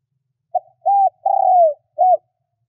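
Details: Decoy spotted dove calling to lure wild doves gives one full phrase: a short clipped note, a rounded coo, a long coo sliding down at its end and a final rounded coo. Nothing else is audible.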